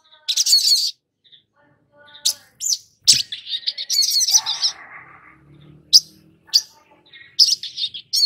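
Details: Long-billed spiderhunter song played as a lure for young birds: sharp high chirps and fast twittering phrases, with a brief lower chattering passage midway and soft background noise.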